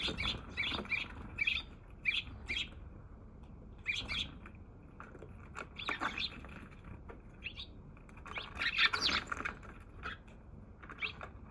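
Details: Wild Eurasian tree sparrow in Japan on 27 March, the first to visit that day before flying off, filmed in slow motion; bursts of short, bright chirps in quick clusters, pausing between groups, over a low background rumble.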